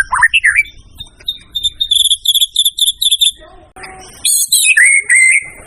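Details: White-rumped shama in gacor singing form, a masteran tutor recording for training other birds: opening slurred warbles, then a fast run of short high repeated notes, a pause, and loud piercing whistles sliding down into a sustained tone.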